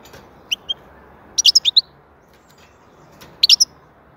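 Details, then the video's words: Saka, the European goldfinch, singing scattered twittering phrases: two single chirps, then a dense burst of five or six liquid notes, and after a pause another quick three-note flourish. "Huzur verici saka sesi mūkemel"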